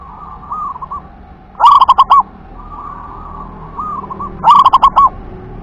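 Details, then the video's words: Local wild zebra dove singing the WER-KE-TE-PEK style: soft rolling coos near one pitch, broken twice by loud, stuttering bursts of four or five emphatic notes, the pattern repeating about every three seconds. "suara perkutut lokal WER-KE-TE-PEK UNIK LANGKAH&JAGONYA GACOR DOR"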